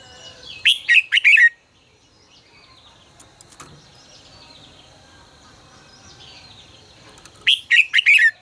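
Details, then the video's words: Red-whiskered bulbul singing in the fiery 'ché căng lửa' style, recorded as a lure and training voice for birds: two loud bursts of quick, warbled, up-and-down slurred notes, separated by nearly six seconds of quiet with faint chirps behind. "Luyện giọng cho chào mào hót hay -Ché căng lửa cực phê, chào mào hót quá phê"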